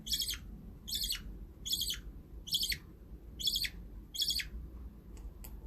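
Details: Budgerigars kept as pets repeating a coarse, raspy chirp about once every three-quarters of a second, six clear bursts that then stop, leaving only faint low hum.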